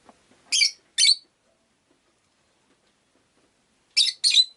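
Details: Rosy-faced lovebird giving sharp, shrill chirps in two pairs, each pair quickly doubled, with a quiet pause of about three seconds between the pairs.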